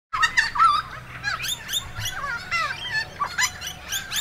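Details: Noisy friarbirds at Spring Mountain, Logan, Queensland, on September 26, 2022, give loud, harsh, cackling notes in quick, uneven bursts, with some higher chirps mixed in, while a faint low rumble runs underneath.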